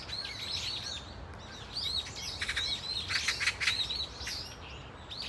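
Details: Brown-eared Bulbuls in a flock at Dunsan Grand Park, Korea, producing a chattering run of shrill, wavering squeals with harsh rasping bursts in the middle, many birds overlapping, over soft background hiss.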